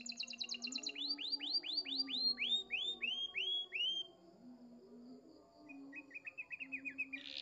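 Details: Canary song with a clear voice and elaborate melodic turns, recorded as a tutor track. Rapid trills give way to a series of sweeping, downward-slurred whistles repeated about twice a second, ending in a fast chattering trill over a low steady hum.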